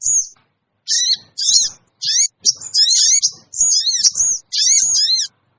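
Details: Sooty-headed bulbul lure call meant to make wild birds flock in: a sequence of sharp, high squeaky phrases with wavering, up-and-down notes, each lasting under a second, separated by short silences.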